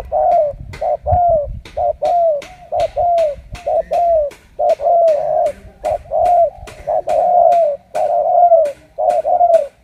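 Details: A captive male spotted dove, wild-caught and partly trained as a decoy bird, gives soft, low, hollow coos in a steady run, about two notes a second with brief gaps, from what sounds like a small room.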